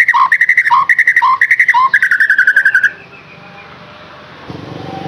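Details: White-rumped shama song meant to stimulate caged birds: quick, rhythmic chattering notes mixed with lower dipping notes for about three seconds, then near silence with faint background noise.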